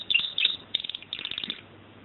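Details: Canary singing a short run of quick, high chirping notes and brief trills, slightly quieter, with a faint low hum underneath.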